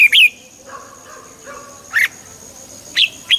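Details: Red-whiskered bulbul, played to make a bird lively: short sharp chirps about once a second with faint softer murmured notes between, over a constant high hiss.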